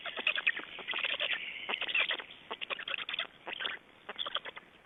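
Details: Black storks feeding and changing over at an Estonian nest, late May 2012; uneven chattering series of rough, clipped pulses, at times drawn into short wheezy strings, fading out toward the end.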